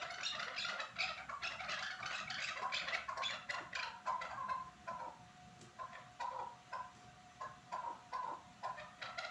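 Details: Chukar calls recorded at Norak: a fast, crowded burst of chattering clucks that thins into evenly spaced single chuck notes, with a faint steady hum beneath.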